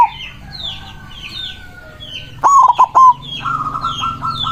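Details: Against steady high chirping of other birds, a white zebra dove singing to call rivals delivers one loud broken coo phrase, followed by a softer run of repeated notes from another bird.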